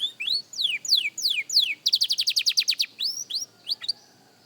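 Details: Young canary practising song, with loud slurred descending whistles followed by a fast trill of about a dozen bright pulses, then a few rising whistled notes fading out.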